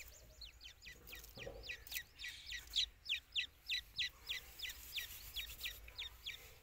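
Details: Grey francolin (Francolinus pondicerianus) during chick season giving a steady run of sharp, high, downslurred chirps, about two or three a second, over a soft background hiss.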